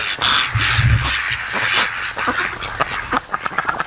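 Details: Domestic ducks raised by hand lounge and sleep in the afternoon sun at the mouth of a creek on a lake. Several short, harsh, honking quacks come early, then a scatter of clipped clicks and splashy knocks, with faint background noise.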